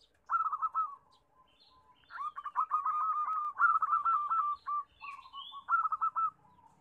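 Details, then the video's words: Zebra doves, a crowded chorus of local birds used to coax doves into singing: repeated rolling, pulsed coo phrases overlapping, with a faint high chirp from another bird. "Suara Perkutut Rame, Pancingan yang susah bunyi"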